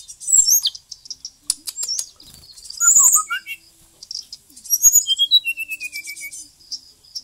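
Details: Bali white-rumped shama in full song, a varied performance packed with fill-in phrases. Loud, clear whistles and quick slurs mix with chatter, then a descending series of about eight evenly spaced whistled notes.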